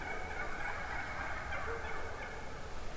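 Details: Hen wild turkeys calling from within a large flock one morning, a continuous overlapping chorus of mid-pitched, raspy notes with steady background hiss.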